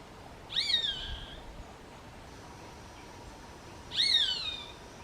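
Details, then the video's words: Roadside hawk (Rupornis magnirostris) giving two long, shrill, drawn-out screams about three seconds apart, each briefly rising and then sliding downward, with a rich harmonic overtone layer, over a steady low background hiss. "Gavião-carijó (Rupornis magnirostris)"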